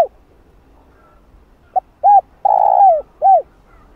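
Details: Repeated cooing phrase from a spotted dove, played to provoke and attract wild doves: brief low note, rounded short coo, long level coo falling at the end, then another short coo. Hollow, soft-toned, and clear over a quiet background.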